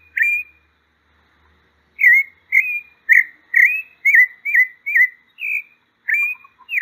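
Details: Pale-breasted thrush giving one whistled note, then after a pause a brisk series of about ten warbled whistles, rising and falling slurs in quick succession, with a quiet background.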